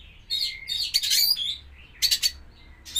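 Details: White-rumped shama during pairing with a champion bird, singing loud rattling, high-pitched bursts with thin whistled notes between them, three strong bursts across the few seconds.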